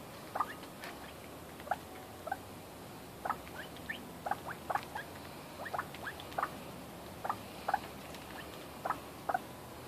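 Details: Red golden pheasants calling while being fed: short sharp chirps and clicks rising in pitch, scattered irregularly across the recording, over a steady background hiss.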